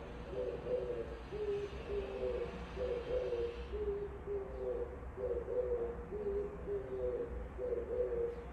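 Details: Oriental turtle dove singing just outside a window, giving a steady run of low, hoarse coos in paired rising and falling notes, repeated without pause against a steady low hum.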